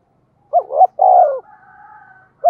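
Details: Spotted dove in the deep 'giọng thổ' voice, a lure for wild birds: two wavering hoots and a long falling coo, followed by a faint, thin whistled tone in the background, then a new phrase starting.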